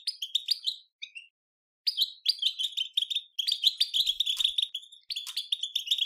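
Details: Goldfinch betbeta song used to excite goldfinches into singing: fast liquid twitters and chattering trills in phrases of one to two seconds, separated by brief silences, very clean recording.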